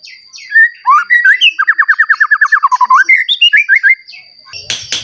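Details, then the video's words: Newly moulted, frequently singing white-rumped shama used as a lure to make other shamas sing: rich whistled phrases, then a fast run of about fifteen evenly repeated clipped notes ending in rising slurred whistles, over a steady high background tone and a final clatter. "Murai Batu Gacor Ampuh Untuk Pancingan Murai Batu Agar Bunyi Langsung Emosi"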